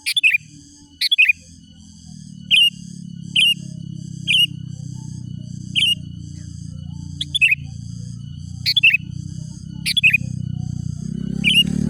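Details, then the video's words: Sooty-headed bulbul calls played to draw out and provoke rivals: short, bright chirps and doubled notes repeated about once a second for twelve seconds, with a steady low rumble beneath that swells toward the end. "Mikat Kicau Manai Menari Mencaru Lawan Kutilang Liar.."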